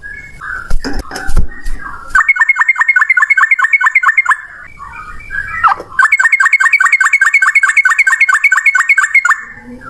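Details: Yellow-vented bulbul, a male, singing an aggressive long rattling run: two extended bursts of fast, even, whistled chirps, dozens in a row, separated by a pause of mixed scratchy noise and handling sounds.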